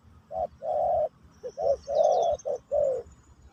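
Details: Pesom/Kacuk style Spotted dove song in a new-bird teaching session: a short coo then long low droning coos, a quick stuttered pair, and another long note, with a faint high twittering bird behind.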